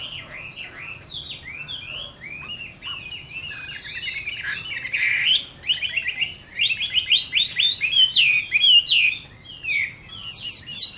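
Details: Fighting song of a Chinese hwamei at summer midday: rapid varied whistles and sweeping slurs, quieter at first then louder and denser, ending in high thin notes after a short gap.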